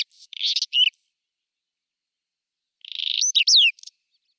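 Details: April 2020 spring song of a Whinchat, Nikon Coolpix P1000: two brief phrases about three seconds apart, each a buzzy rasp followed by thin whistled and sliding notes.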